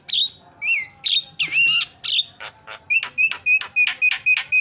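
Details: Javan myna, a chatty bird used to prompt mynas that have stopped singing, mixes warbled and squealing phrases with sliding whistles. The song ends in a quick series of short repeated notes.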